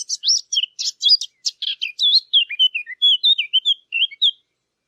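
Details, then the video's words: Eurasian blackcap song, a clean recording made for hunting lure devices: a fast scratchy chatter of high notes gives way to a clearer, lower warbled run of slurred whistles lasting about four seconds, with no other sounds. "صوت التيان او عصفور التين"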